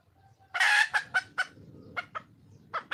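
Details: Red junglefowl hen in the wild, calling to find a male; one strong raspy squawk then several spaced clucks that fade and return near the end.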